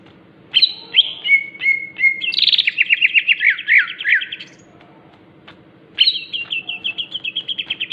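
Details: Cucak ijo (greater green leafbird) singing crewet style: sharp separated whistled notes, a rapid buzzy rattle of repeated descending notes, a pause, then another quick even series of clipped repeated notes over low background hum.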